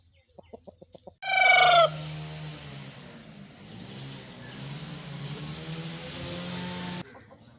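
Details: An Aseel rooster, a fighting-breed cockerel from Pakistan, gives a few soft clucks, then one short, loud, hoarse crow with a falling end over a low steady hum.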